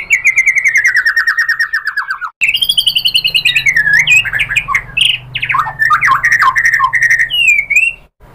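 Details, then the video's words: White-rumped shama song used to provoke other birds to sing: a long, fast, slowly descending trill, then a jumble of varied whistles, slurs and chattering notes ending in a high twittering flourish. "SUARA MURAI BATU bikin EMOSI NYAUT jadi GACOR BONGKAR MATERI ISIAN ¦ PANCINGAN MURAI"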